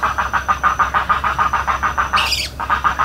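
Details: Everglades National Park spoonbill giving a rapid train of evenly spaced raspy pulses, interrupted midway by a short high-pitched squeal from another bird before the pulsing resumes.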